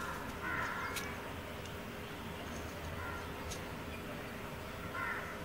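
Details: Indian grey hornbill (Ocyceros birostris) giving short, harsh, squealing calls about every two to three seconds, over a steady low rumble of traffic and a few sharp clicks.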